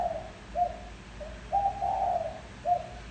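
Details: Spotted dove coo used to decoy wild doves: one and a half soft phrases, a brief coo, a quiet note, then a drawn-out two-part coo ending in a short note, low and hollow, light background hum.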